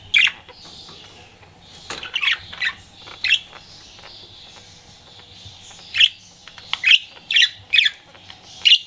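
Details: Pet budgie flirting, uttering sharp isolated chirps roughly once a second over a soft warbling background chatter.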